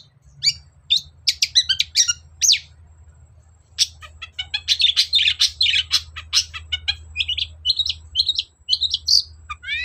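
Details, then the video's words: Long-tailed shrike song used as a lure to get a silent bird singing: a dense run of varied squeaky, buzzy and whistled notes, chattering fast with short gaps, over a faint low hum. "BURUNG CENDET GACOR DOR || Pancingan cendet males bunyi agar nyaut gacor"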